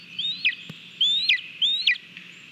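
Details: Lesser spotted eagle at its nest in Latvia on 18 July 2022, filmed by a live nest camera while eating a mole on its own. Three clear, high, thin calls, each rising then dropping in a short hook, about half a second apart, over faint background hiss.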